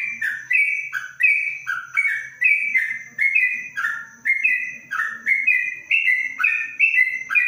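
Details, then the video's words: Yellow-vented bulbul (trucuk) kept caged under a cage cover in Kebumen, delivering 'ropelan panjang' song, a long chain of bright whistled phrases. Each phrase slurs downward and repeats roughly every half second without a break. "Trucuk Ropelan Panjang dalam krojong"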